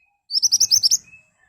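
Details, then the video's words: Ashy tailorbird in full song, used as a lure to prompt birds to reply: a quick run of about seven piercing, high chipped notes delivered in under a second, with a faint thin whistle before and after. "Burung Mantenan Gacor Nembak Tajam Cocok buat Pancingan agar cepat Nyaut"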